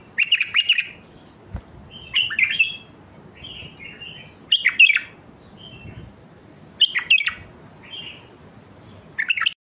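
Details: Mandali bulbul song for teaching chicks: a string of bubbly, warbled phrases with slurred whistles and short softer notes, about every second or two, plus a single faint knock.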